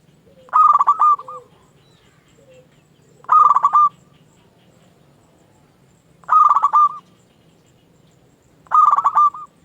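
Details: Local zebra dove singing as a lure to stir other doves into answering: a rich, gurgling coo phrase repeated about every three seconds, four phrases in all, with soft low notes between and a quiet background.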